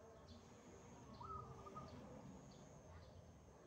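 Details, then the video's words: Wild zebra dove in vigorous song, one soft phrase with a quick rising note and a brief run of bubbling coos, quiet beneath background noise and a steady faint high-pitched whine. "PERKUTUT LIAR GACOR"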